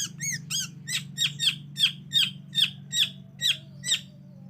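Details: Long-tailed shrike lure call: arched nasal notes leading into a series of sharp, rising-falling calls repeated about two per second, with a constant low hum underneath.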